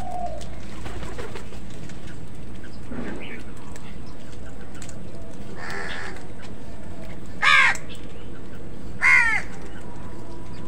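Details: Crows fighting with other birds for food; two harsh, broad caws stand out near the end, well apart, over a steady low rumble of background noise with faint other bird calls.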